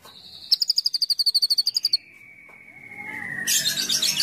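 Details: Lure song of a white-rumped shama for prompting other shamas: a quick trill of about fifteen ringing high notes, then a long, thin, falling whistle, ending in a harsh rushing burst of noise.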